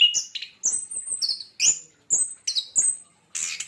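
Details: Javan white-eye giving a short run of bright high whistled notes, several sliding upward, spaced by brief gaps and ending in a harsher buzzy burst.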